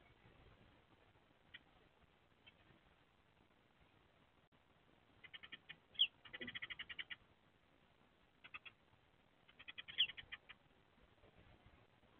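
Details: Eurasian tree sparrow pair, male and female, trading short, bright chirps in scattered bursts near their nest box in April 2024 during egg-laying: a quick run near six seconds and another near ten, with quiet gaps between.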